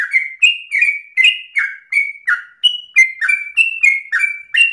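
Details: Persistent 'narung ropel' song from a sooty-headed bulbul, a quick chain of bright, downslurred chirps, some higher and some dropping lower, roughly three per second, in a quiet setting.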